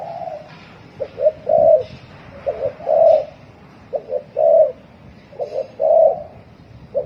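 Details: A spotted dove gives fast thổ còi cooing, slightly muffled: about five quick phrases, each two short notes and a brief swelling coo, over low background noise.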